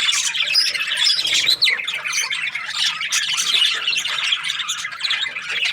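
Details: Breeding pairs of budgerigars in noisy chorus, overlapping scratchy chirps and squawks with brief whistled rising notes, an unbroken chattering mass with one short dip near the middle.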